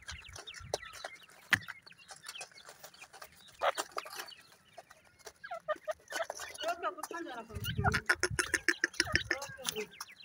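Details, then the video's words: Teetar (francolin), a male with chicks: scattered clicks and short chirps, then a dense run of rapid, rising chirps over the final seconds, with a brief low voice-like sound beneath. "teetar awaaz"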